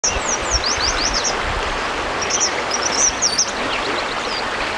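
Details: Eastern Kingbird calling in Bozeman, Montana, giving thin, high, sputtering notes in quick bursts, rising and falling, over a steady rush of running water.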